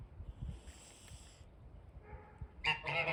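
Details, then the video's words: Snow geese on or near a front porch give harsh, nasal, overlapping honks that break in loudly near the end, over a low background rumble; Snow goose. "Snow Geese Making Noise"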